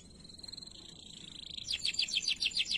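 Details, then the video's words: Canary song used for training other canaries: a thin whistled tone held for about a second and a half, then rapid repeated descending high trills in quick bursts. "KENARI GACOR DOR UNTUK MASTERAN KERNARI"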